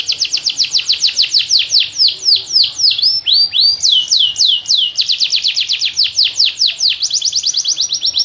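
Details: Energetic canary song made of a long chain of rapid downslurred whistles, roughly four per second, slowing briefly into looping notes midway before speeding up again.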